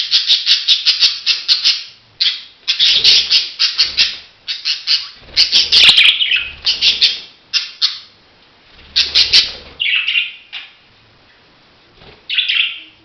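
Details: Budgerigar chattering steadily, a rapid string of bright, raspy chirps and warbles repeated in close bursts, with short pauses and a few longer, buzzier notes near the end.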